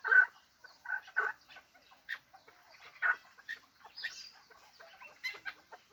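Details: Scattered clucking calls from a hybrid fighting chukar partridge: a loud opening note, a few paired chuks, then quieter irregular notes with one higher squeal.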